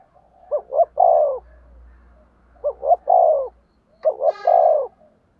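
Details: Spotted dove decoy gives three phrases of soft coos to lure wild doves. Each phrase is two short rising notes and then a longer falling note, over a low rumbling hum, with a brief sharp noise near the end.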